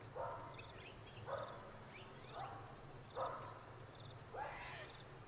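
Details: Sulphur-crested cockatoos at Mt Coot-tha in Brisbane, Queensland, recorded on a Canon R7 on 6 November 2022, give rough, raspy calls about once a second over a steady low background hum, with faint high chirps from other birds.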